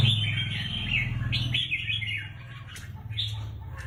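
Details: Competition-kept red-whiskered bulbul in a cage sings a fast run of rolling, slurred notes, then a shorter closing phrase, over a constant low mechanical hum.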